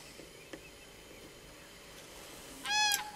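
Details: A single loud, ringing common crane call near the end, harmonic and slightly arched in pitch, lasting about a third of a second over a quiet, hissy background with a few faint clicks.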